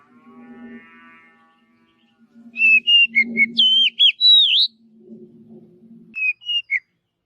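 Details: Wild Oriental magpie-robin in forest giving a burst of loud whistled song, rising and falling sweeps and slurred notes, then a brief second phrase; a low droning hum comes and goes underneath.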